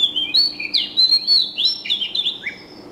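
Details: A bird sings a busy sequence of quick high whistles and downward-sliding chirps, about a dozen notes in three seconds, fading slightly toward the end.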